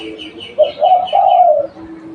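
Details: Spotted dove kept as a local lure bird, giving one cooing phrase: a short clipped note, then two longer hoarse coos that slide slightly downward. Faint higher twittering runs above it.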